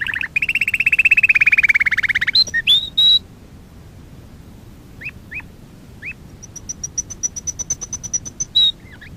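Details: Canary song for training: a long, loud, very rapid roll, rising slides, scattered slurred notes after a pause, then a steady series of high thin pips.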